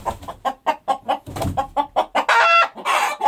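A rooster gives a fast run of about a dozen clucking notes, then two drawn-out, harsh, ringing notes like the end of a crow.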